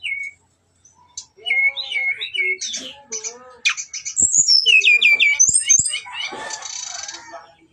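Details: Brown-chested jungle flycatcher singing a fight-provoking lure song: slurred whistles and chattering chips build into loud looping high phrases, ending in a harsh noisy burst, with a few sharp clicks.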